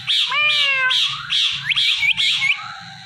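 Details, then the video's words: Pet Indian ringneck parakeet talking, a string of loud, high, harmonic-rich chattering syllables with bent, wavering tones, repeated in quick bursts, with music and human voices around. "Ringneck Talking Parrot"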